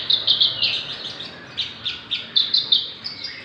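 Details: Javan bush lark, six months old, singing profusely. Thin, high notes are repeated in quick pairs and short buzzy runs, with a slight hiss behind them.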